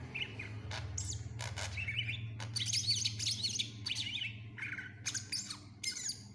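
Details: Greater green leafbird (cucak ijo) in busy gacor song with isian, meant to tutor other birds: jumbled high twittering, rapid warbled trills and sharp clicks in dense bursts, over a strong low rumble.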